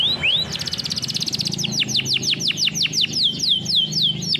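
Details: Canary singing for song training: a rising whistle, then a rapid even trill of high notes, followed by a steady run of loud downward-sweeping whistles roughly three to four per second.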